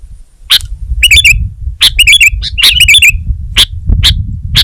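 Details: Energetic song of the sooty-headed bulbul (kutilang): short chirpy whistled phrases with wavering downward slurs, repeated about every second and mixed with sharp clicking notes, light background rumble.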